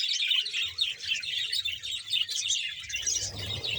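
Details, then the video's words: A budgerigar colony of about 100 pairs in Bahawalpur fills the air with busy, overlapping high chirps and scratchy warbles, steady throughout, with a low rustling noise rising in the final second. "budges sound"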